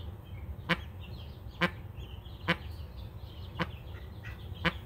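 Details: Protective Mallard hen that has hatched 12 ducklings gives five harsh, nasal quacks, about one each second, over a low steady rumble.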